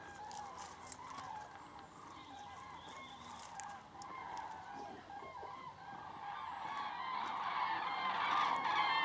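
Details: Over 5000 common cranes flying southbound above Berry at Jouy, Cher, France: a distant chorus of rolling, bugling calls builds steadily louder toward the end, many birds overlapping, over a constant low rumble.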